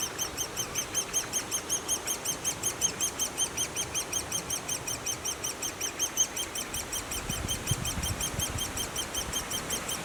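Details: Great spotted woodpecker nestlings at the nest keep up a regular, high squeaky chirping about three times a second, with a brief low rumble near the end.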